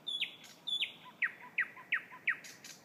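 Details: Thrush nightingale singing very loudly: high whistled notes sliding steeply down, then a series of loud clipped downward-sweeping phrases repeated about every third of a second, with faint low soft notes between.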